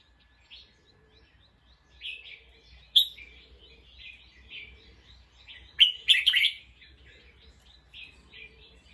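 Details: Bulbul calling in alert after hearing a sound: a busy run of short chirps and whistled notes, with louder harsh bursts near three and six seconds, in an otherwise quiet setting.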